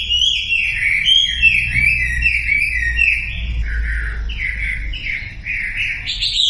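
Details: Sumatran leafbird song for luring silent birds into song: repeated whistled phrases, about three per second, each dropping in pitch, ending on a higher rising note, with faint low background noise.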